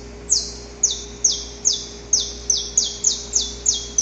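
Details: Harsh, high saffron finch notes recorded outdoors, about ten sharply falling sweeps delivered at an even rhythm of around two and a half per second, with low steady hum behind.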